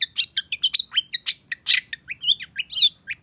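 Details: Long-tailed shrike in excited, fiery song: a varied run of separate sharp notes, short whistles and harsh bursts, about two a second, changing pitch from note to note.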